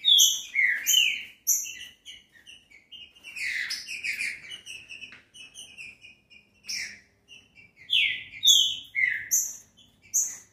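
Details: Green-winged saltator song, played to warm up and stimulate a captive bird into singing: loud, rich whistled phrases, slurred downward, delivered in short bursts with brief pauses, mixed with sharp high chips.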